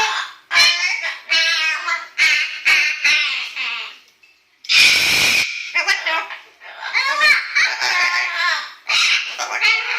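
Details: Yellow-naped amazon kept indoors rehearsing the song "Little Apple" while dogs object; choppy, voice-like sung phrases in short bursts, a pause, then a harsh noisy blast and more warbled syllables.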